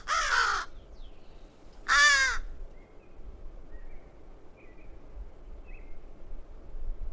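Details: A crow in Zion National Park gives two harsh, hoarse caws about two seconds apart, then falls quiet, with faint distant bird chirps and a low background rumble.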